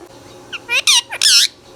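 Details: Indian ringneck parrot, the rose-ringed parakeet, giving a quick burst of harsh, loud squawks, three main bursts with the last the longest and broadest, over a faint steady low hum.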